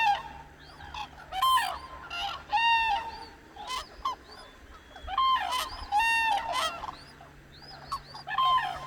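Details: Cranes waking at dawn on the Hantan River in Cheorwon, central Korean peninsula, calling in a flock: loud, brassy trumpeting notes repeated every second or two, mixed with many higher, rising whistled calls from other birds nearby.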